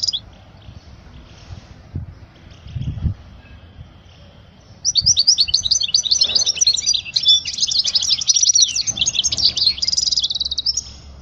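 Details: European goldfinch song for teaching youngsters: several seconds of faint rustling and low thumps, then a sustained, dense stream of rapid liquid twittering and buzzy trills running to the end.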